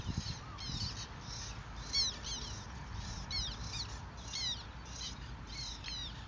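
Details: Black tern giving short, harsh, nasal notes, several per second in loose bursts, over a steady low rumble of wind; parents busy bringing food, mainly dragonflies, to young, with nest rafts in use.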